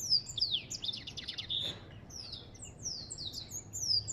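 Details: An African goldfinch pours out a fast burst of tinkling, buzzy notes, eases into thinner, sparser sliding whistles midway, then picks up again at the close.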